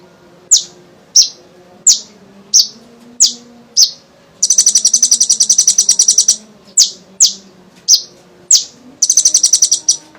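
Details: Sunbird known locally as kolibri ninja, in lively full song, used as a lure to prompt young sunbirds to sing: sharp high metallic chips every half second, broken by two long rapid buzzing trills.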